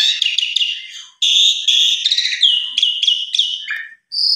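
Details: Rival-provoked Asian pied starling song: rapid stuttering notes, then bright buzzy whistled phrases and down-slurred calls, ending after a short gap with a high whistle.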